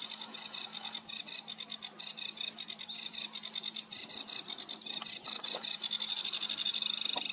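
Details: Song of a sedge warbler, recorded 28 June 2022: a rapid, rhythmic series of harsh, high chips, delivered in quick bursts about once a second, with a faint low hum beneath.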